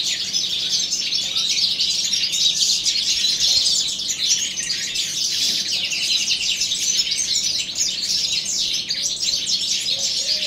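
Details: Several caged balcanica goldfinches sing in an aviary at the start of spring, an unbroken stream of bright, high-pitched twitters, chirps and fast jingling trills that stays steady for over ten seconds.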